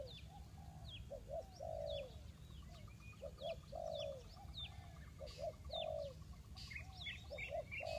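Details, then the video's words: Spotted dove from Ninh Thuận used for bird trapping, cooing steadily: doubled short notes then a longer falling coo, phrase after phrase, over busy high-pitched twittering of other birds and rustling. "The Sound Of dove"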